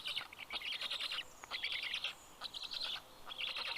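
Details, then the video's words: Black stork nestlings in Karula National Park, Estonia, greet the male arriving with fish at 11:00 on 11 June 2023, in a nest-camera recording; dense, shrill chattering bursts of about half a second, separated by short pauses. "Karl brings fish for all 😊Funny greeting sound by the Kids 😁"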